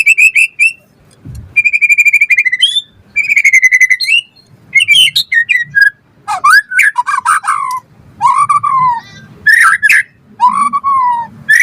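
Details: Song of a white-rumped shama used as a prompt and song tutor: long level whistles and quick repeated notes, then loud, downward-swooping whistled phrases repeated several times with short gaps.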